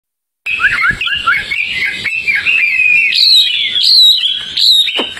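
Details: A tame hwamei, outdoors, sings a loud, rich run of varied whistles and slurred phrases, rising and falling rapidly in a continuous flow with no pauses.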